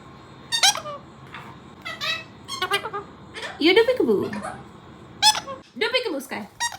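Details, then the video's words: Four pet parrots indoors mimicking the word peekaboo in different styles: scattered harmonic syllables, some broad noisy bursts, and a louder swooping phrase in the middle, with brief gaps between calls. "Watch all my 4 parrots saying “Peekaboo”"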